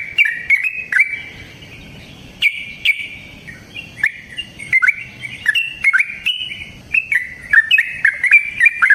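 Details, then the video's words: Wild-style yellow-vented bulbul song, vigorous and long, used to prompt other bulbuls to sing: a quick opening chatter, a short lull, then flowing bubbling whistles sliding up and down in rapid succession. "Trucukan GACOR ngalas ROPEL PANJANG suara alam AMPUH buat pancingan"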